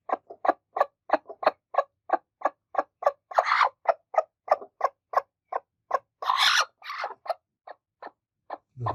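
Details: Two broody hens in an angry attack. Rapid, evenly pitched clucks come about three per second, broken by two harsh, hissing squawk bursts, then a few spaced clucks and a low thump at the end.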